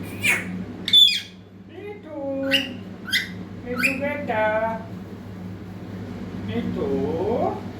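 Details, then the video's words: A young parrot practising speech: sharp clicks and squawks, then wobbly, babbling syllables with voice-like, stepped tones, ending in a soft rising warble; a low hum runs throughout. "Baby Parrot Bolne Ki Koshish Kar Rha Hai"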